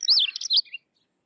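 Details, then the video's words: A short, rich phrase from a Sykes's lark: high slurred whistles dipping down, a scratchy middle and a clear rising whistle at the end, lasting under a second in still surroundings. "Sykes's Lark or Twany Larks Singing"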